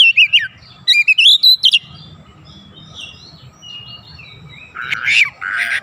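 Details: Oriental magpie-robin lure song meant to prompt other birds to sing: a burst of quick, ringing whistled notes, a quiet gap with a soft low hum, then rough, scratchy notes toward the end.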